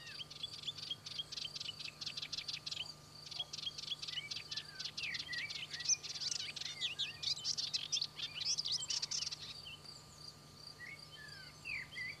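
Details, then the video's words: A melodious warbler (Hippolais polyglotta) singing in Corrèze, France: a fast, chattering song of high, scratchy notes and quick twittering phrases, with a steady faint hum underneath. "Hypolaïs polyglotte - Melodious Warbler - Orpheusspötter ( Hippolais polyglotta )"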